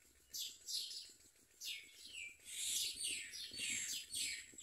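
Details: Common myna at its nest, with adults catching crickets to feed their chicks: high, squealing notes that slide sharply downward, about a dozen overlapping in under five seconds, over a faint low background hum.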